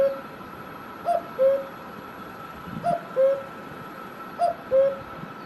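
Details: Cuckoo in Himachal Pradesh, India, giving its falling two-note cu-ckoo three times at roughly one-and-a-half-second intervals, a short higher note dropping to a longer lower one, against a soft continuous hum.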